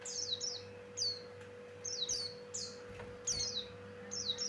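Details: Male Javan grey-throated white-eye, described as in full vocal form and used as a lure for other birds: short bursts of high, sharp, descending chirps, each burst about half a second, repeated roughly every second, over a steady electrical hum.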